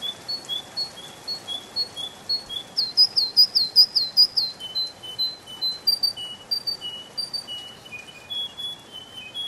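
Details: Canary singing in a spring forest: thin high whistled notes spaced slowly, a quick rolling trill in the middle, then scattered single notes stepping lower, over a steady faint hiss.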